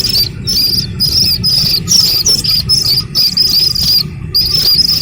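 Slaty-legged Crake chick giving thin, high, wavering peeps in quick bursts about twice a second, over a low steady rumble.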